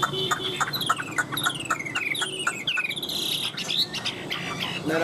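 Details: Caged Chinese hwamei singing as its cage is carried, a long nonstop performance: rapid falling whistled sweeps and bright ringing notes overlap densely, over a steady buzzing background with faint noise.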